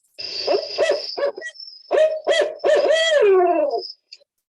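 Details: Barred owl hooting, played back at an owl program in Connecticut on February 26, 2022: a series of low, throaty hoots building to a long, drawn-out final note that slides downward and tapers off, with a faint high steady tone behind.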